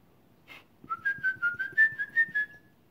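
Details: A Grey parrot over a year old whistles a quick run of about eight clear, slightly rising notes, roughly four a second, over a low murmuring background.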